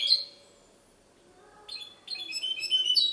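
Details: Goldfinch hybrid song recorded in Ksar el Kebir, Morocco: a bright twittering phrase, a second of near silence, then renewed high, quick chattering trills and metallic notes.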